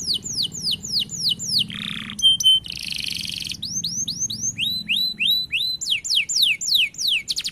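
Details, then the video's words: Singing canary: series of sharp falling whistled notes, broken by a harsh buzzy burst and a dry rattling trill, then more repeated downslurred whistles at varying pitch, and a faint low hum beneath. "Suara Jernih Burung Kenari gacor dor roll panjang"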